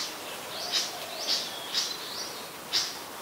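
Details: Malaysian pied fantail, a very common resident in Ubon Ratchathani, Thailand, recorded 25 November 2019; thin high squeaky notes repeated about once a second with hissing background noise.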